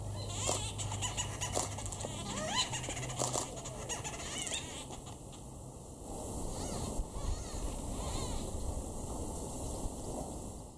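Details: White-fronted bee-eaters at Imfolozi, KwaZulu-Natal, South Africa, in July 2019, excitedly calling to one another: short, rolling, slightly nasal notes, several birds overlapping in quick bursts, over a low steady hum.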